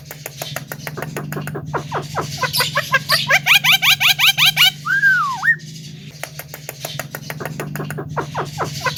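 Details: Song of a Javan myna meant to make other birds agitated: rapid clicking notes build into loud rising chips, broken by one long swooping whistle, then chattering resumes over a steady low hum.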